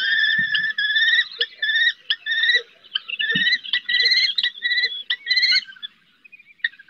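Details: Female common kestrel calling from a roof to her eldest chick as it attempts its first flights, at Riet Vell Nature Reserve in the Ebro Delta: harsh, grating calls in rapid bursts with brief pauses between them, and faint low knocks underneath.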